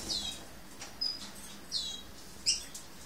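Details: Lesser goldfinch, subspecies hesperophila: three clear, high, downslurred whistled notes about a second apart, each a thin sweep falling in pitch, with one brief softer note between and quiet background.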